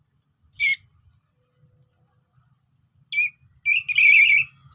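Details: Orange-headed thrush with easy-paced song, played to draw silent thrushes into singing; separate sharp descending notes, then a longer rich warbled phrase near the end.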